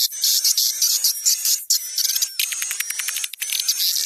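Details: Swiftlet call lure of about 20% juvenile and 80% adult swiftlet sounds for swiftlet bird houses: dense, high, buzzy twittering chirps in rapid bursts, with thin whistled tones running steadily underneath.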